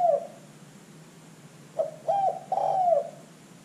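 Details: Spotted dove, a calling bird used as a lure for other birds; a coo tail at the start, then a phrase of short clipped notes swelling into a long, slightly wavering coo, with low steady hum behind.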